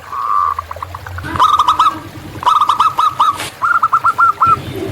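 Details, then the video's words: Wild local zebra dove singing in nature: a softer opening phrase followed by three short runs of rapid, slightly buzzy cooing notes, each run a little stronger than the last. "Perkutut Lokal Gacor"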